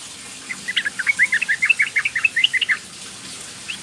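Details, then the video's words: Young female sooty-headed bulbul calling to males, used as a lure: a quick burst of about fifteen bubbly, chirping notes over two seconds, then quiet apart from one last note. "TRUCUKAN BETINA MUDA memanggil jantan"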